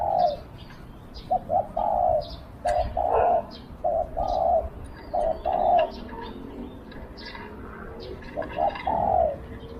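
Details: Spotted dove used as a decoy to lure wild doves, with a small voice: short low coo phrases, two quick clipped notes then a longer hollow coo, repeated about every two seconds, with faint chirps of other birds above.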